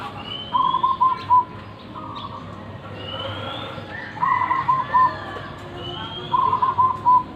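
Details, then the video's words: Local-strain zebra dove, described as having a big voice, gives three staccato cooing phrases about two seconds apart, each a quick bubbling run closing on a clear hoot, with thin rising whistles from other birds in between. "Perkutut lokal alam suara besar"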